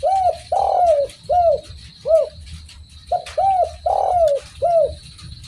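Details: Spotted dove (derkuku) in full cooing song: two phrases of four arched, hollow coos, a short note, a long drawn coo, then two short ones, separated by a brief pause, over a low steady hum.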